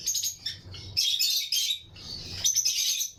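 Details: Lutino lovebirds in pairs within a breeding colony flight aviary, chirping alongside other birds: dense, shrill, high chirps in overlapping bursts, with brief quieter gaps around half a second and two seconds in.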